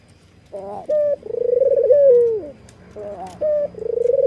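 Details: White Barbary dove with red eyes, nodding while calling: a brief clear note followed by a fast, throbbing, laugh-like rolling coo that dips at the close, then starting again.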